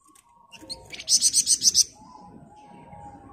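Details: Flamboyan bird, dense 'ngebren' song used to train other birds: a few sharp chips lead into a short run of six high, bright notes over a soft low background hum.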